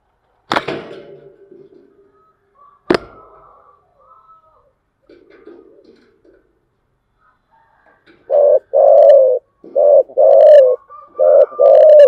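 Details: Spotted dove cooing in the 'giọng thổ chiêu gù' voice style. A few sharp clicks and near silence come first, then a loud run of deep, hollow coos in short groups during the last four seconds.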